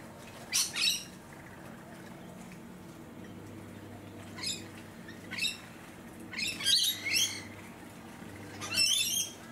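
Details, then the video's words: Rainbow lorikeet (Trichoglossus moluccanus) on the Sunshine Coast, Queensland, in March 2022: harsh, grating screeches in short bursts, about six over ten seconds, some doubled, over a steady low hum. "Rainbow Lorikeet"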